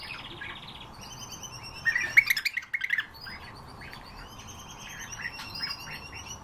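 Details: European bee-eaters: a short cluster of rolling, trilled calls near the middle, with several fainter overlapping calls throughout and a steady background hiss.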